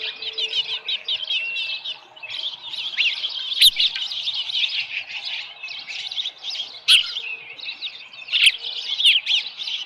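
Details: Ospreys at a nest at Dunrovin Ranch on 13 July 2018 around 7:10 AM, with a small live fish brought in: a dense stream of high, thin chirps and whistled squeals, rising and falling, nearly continuous, broken by a few sharp clicks and knocks.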